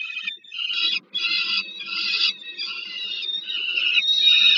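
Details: Peregrine falcons at the Żerań heat plant nest site in Warsaw, Poland, 15 August 2022, during a food delivery from one bird to another: harsh, rasping wails with stacked overtones, uneven in length and spacing, with a faint low hum beneath.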